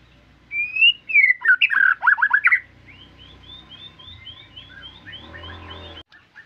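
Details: White-rumped shama singing vigorously: a burst of loud, rich whistled phrases with quick slurred notes for about two seconds, followed by a faint, rapid series of short high repeated notes and a low background hum.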